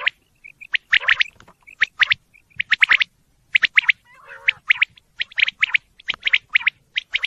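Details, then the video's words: Quail calling steadily: short, sharp, high notes clustered in rapid groups of two or three, the groups repeating roughly every second, with soft little chirps between them and a brief lower nasal sound midway. "quail bird sound"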